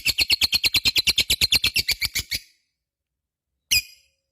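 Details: Ngekek from a vocal lovebird: a quick, regular chatter of harsh high notes lasting about two and a half seconds, then silence broken by one sharp single chirp.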